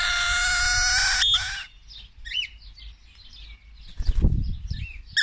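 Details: A cockatiel being trained to return when called gives a harsh, sustained scream lasting about a second. A string of short, thin chirps follows, over a low background rumble.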